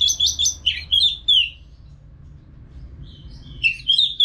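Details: Caged Orange-headed thrush from Singaraja, North Bali, singing as training sound for other birds. A fast run of bright whistled notes falls slightly in pitch, then after a silent stretch similar whistles resume.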